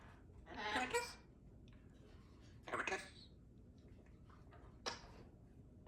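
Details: Symon, a 3-year-old female Congo African Grey Parrot, speaks in three short, breathy, word-like bursts over six seconds, the first longest, in a quiet room. She is a talkative pet.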